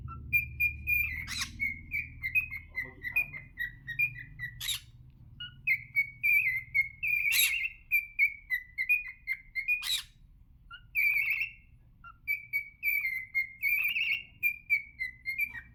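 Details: Cockatiel (Nymphicus hollandicus), song.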